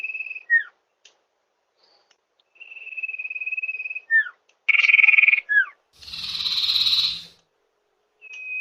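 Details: Common iora call played as a lure to draw in wild birds: sustained flat whistles alternate with sharp descending notes and a buzzy burst, then a loud noisy rasp and a final whistle starting.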